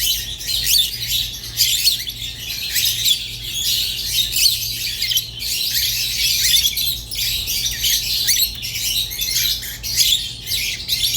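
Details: Rosy-faced and Fischer's lovebirds keep up an unbroken tangle of shrill squawks and twittering notes, with no clear gaps, over a faint low hum.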